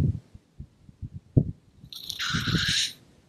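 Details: Male black grouse displaying at a morning lek, making noise and puffing up to impress the greyhen and deter challengers; soft low thumps and rumbles, then a sharp hissing rush lasting about a second.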